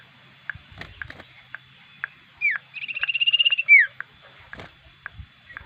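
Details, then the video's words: Common iora, a lively singer suited for use as a lure bird: a clipped upslur, a rapid even trill of about a dozen pulses, and a loud falling whistle, with clicks around. "burung cipew gacor.. cocok untuk pemikat"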